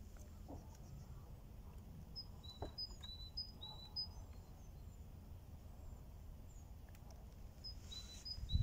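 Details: At Östra Ullholmen, a bird sings a series of thin, high, short notes, some slightly falling, in two bursts, with a steady low rumble, likely wind, underneath.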